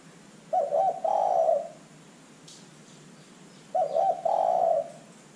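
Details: Spotted dove in full voice, used as a lure recording to draw other birds into calling: two mellow cooing phrases, each a short stuttered coo followed by a longer drawn-out croon, about three seconds apart, over faint background hiss.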